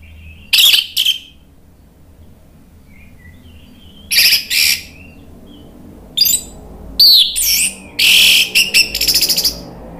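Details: Orange-headed thrush song used to goad a silent bird into singing. Scattered bursts of harsh and whistled notes are spaced by long pauses, ending in a quicker cluster, over a faint background hiss.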